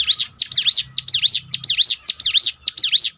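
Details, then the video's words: Bar-winged prinia (mountain ciblek) song played to train and strengthen a bird's mentality; a steady series of high V-shaped sweeping notes repeated about twice per second, loud and clear throughout. "bikin ciblek gunung Ngetop || down mental bangkitkan lagi"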